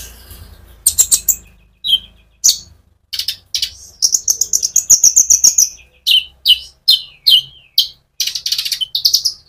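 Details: Sunbird (konin) singing steadily with rolled phrases, used as a lure to rouse other sunbirds: sharp high chirps, then a fast run of even high notes around the middle, ending in scattered downslurred chirps.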